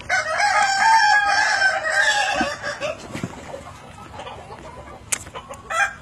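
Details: Evening crow of a Kukuak Balenggek rooster: a loud drawn-out harmonic note for about two and a half seconds, fading into quieter clucks and faint clicks afterward.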